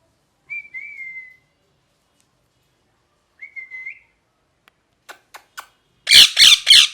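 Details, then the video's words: Two level, thin whistles with a slight rise at the end, several soft clicks, then a parrot erupts into three loud, broad, rasping squawks. "Parrot Chirping Sounds | Natural Parrot Sounds | Parrot Calling Sounds"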